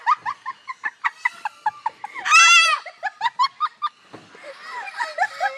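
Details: An umbrella cockatoo (Cacatua alba) at Parrot Mountain, Pigeon Forge, Tennessee, mimics visitors' laughter in rapid, evenly spaced 'ha-ha' bursts, broken by a harsh, buzzy screech.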